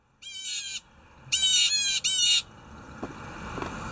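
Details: A blue jay calling loudly in the morning gives three harsh, nasal, buzzy screeches, the middle one longest, separated by short pauses. Faint background hiss and a couple of soft clicks follow.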